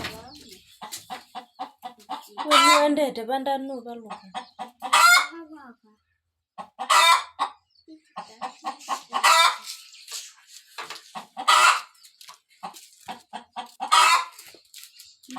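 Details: Village hen ready to lay eggs, giving runs of rapid clucks that build into loud drawn-out cackling bursts roughly every two to three seconds, with a human voice early on.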